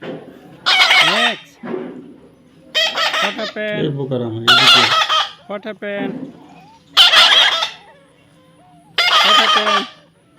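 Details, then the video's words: Baby parrot making loud, grating squawks interspersed with shorter harmonic chattering notes, with several bursts spread over ten seconds. "natural funny parrot sound"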